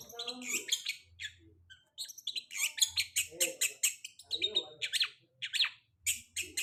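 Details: Long-tailed shrike song played as a lure for a bird that has just moulted: dense, rapid run of scratchy high chips and buzzy notes with brief pauses, over a soft low droning background.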